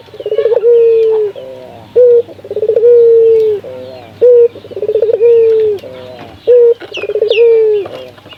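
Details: Local spotted dove calling, used to prompt other doves to call: repeated rolling coos, each a stuttering lead-in followed by a long drawn-out note, with short separate hoots between phrases.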